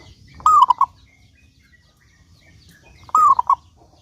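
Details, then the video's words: Two phrases of zebra dove song from a local-strain bird, used as a lure for other doves. Each is a soft, cooing three-note burst lasting under half a second, with a long pause between them and faint bird chirps in the background. "Perkutut Lokal Gacor Suara Paling Ampuh Untuk Pancingan Burung Perkutut Agar Bunyi"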